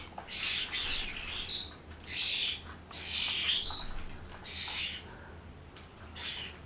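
Starlings chatter in a harsh, jumbled racket of squeaks, rasps and whistles, several voices overlapping in bursts every second or so.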